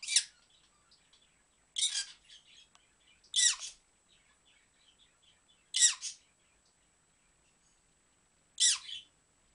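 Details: Pet dusky-headed conure making kissy noises while dancing indoors: five sharp, smacking bursts spaced irregularly about one to three seconds apart, with faint soft clicks and chatter between them in a quiet room.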